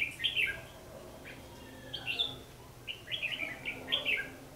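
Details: Red-whiskered bulbul fighting song used to lure birds in trapping, 14 December 2015: lively, high warbled phrases of quick chirps in bursts, loud and close.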